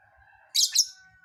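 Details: Lovebird giving its unusual fill-in (isian) song: a steady thin whistled tone runs beneath a loud double burst of harsh, buzzy chirping, with another rasping note starting at the very end.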